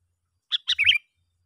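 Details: Sooty-headed bulbul lure call, used to draw other bulbuls in: a brief burst of three bright chirpy notes, the last one warbling and slightly longer, in silence otherwise.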